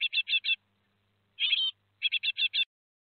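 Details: Four Great tit young leaving the nest at Théding, France, 17 July 2020: three bursts of rasping chirps, the middle one a longer buzzy rattle.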